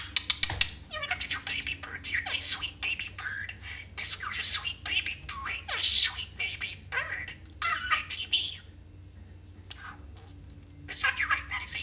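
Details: Pet budgerigar chattering indoors, mimicking partial movie and TV quotes amid nonsense babble: fast, scratchy, speech-like bursts with squeaky clicks and short whistles, pausing briefly near the tenth second before resuming.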